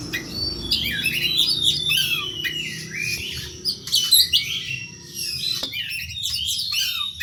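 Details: Oriental magpie-robin in fighting song, used as a lure. The bird gives varied high, sweeping whistles and scratchy twitters with rising and falling slurs, in loud bursts over a faint low background hum.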